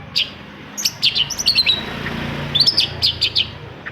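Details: Long-tailed shrike singing to set other shrikes off: quick runs of sharp whistled chirps and short slurred notes in two bursts, steady hiss behind.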